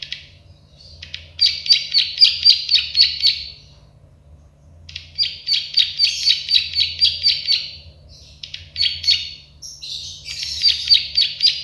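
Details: Prenjak sawah, the plain prinia, delivering three bursts of fast buzzy chirping notes separated by brief silences, each phrase a quick rhythmic train of bright, high clicks.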